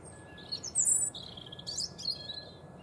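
European robin giving a few high, thin, twittering phrases in quick bursts over about three seconds, against a faint steady background hiss.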